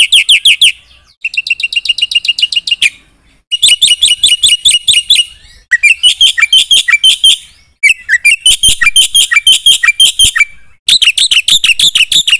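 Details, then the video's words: Black-winged myna singing full isian in gacor style, switching between fast trills, chattering bursts and slurred whistled chirps, each passage separated by brief gaps. "Suara jalak putih GACOR full isian TERHEBAT M4NC1NG 3MOS1 semua burung nyaut bunyi"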